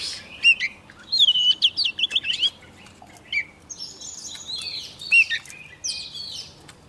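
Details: As a wild bird comes near, a young Oriental magpie-robin bursts into song: a looping whistle and a fast rippling run of clear notes, then harsher buzzy phrases and a final upslurred whistle.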